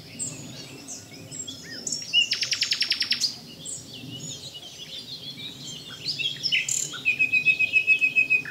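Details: Common nightingale in full song: scattered varied chirps, then a dense buzzy rattle of fast repeated strokes lasting about a second, quieter phrases, and a final run of rapid pulsed notes ending on a sustained high whistle.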